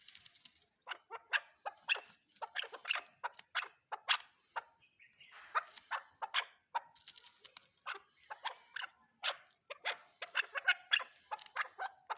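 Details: Chukar partridge (chakor) calling: dense bursts of harsh clucking notes come in quick rattling runs separated by short pauses over twelve seconds.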